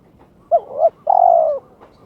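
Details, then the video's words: Caged turtle dove in breeding condition calling to challenge an opponent: a brief double coo with a rising hook, then one long, even, sustained coo lasting about half a second, clean and close. "My turtle dove chirps challenging its opponent"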